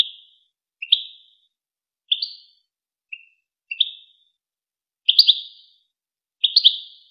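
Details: European goldfinch, in a recording for teaching young goldfinches and hybrids to sing: seven short sharp chirp clusters at irregular intervals, bright and metallic, in an otherwise silent background.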